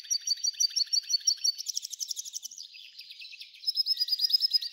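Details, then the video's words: An F1 hybrid goldfinch pours out a continuous high, twittering song with rapid chirps, a brief buzzy rise, then a return to quick tinkling notes. "Belo canto do F1"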